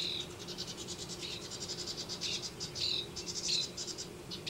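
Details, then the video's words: House wrens nesting in a Denver yard, giving rapid high chattering trills and short bursts of notes with little pause between them. "House Wrens Nesting"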